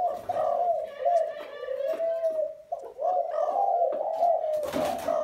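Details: Spotted dove giving a steady run of low, warbling, rolling coos with hardly a gap, while faint voices and knocking sounds are heard indoors.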